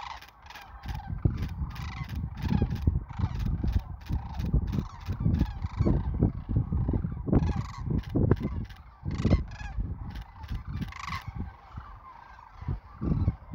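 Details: Sandhill cranes in Nebraska south of Wood River during the 2024 spring migration: a dense chorus of many birds giving overlapping rolling, rattling bugle calls, continuous throughout with pulsed high notes layered on top.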